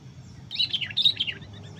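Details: Sooty-headed bulbul, part of decoy trapping in which a juvenile was caught. Two quick phrases of bright, high, descending chirps follow one another within a second, with a soft low hum beneath.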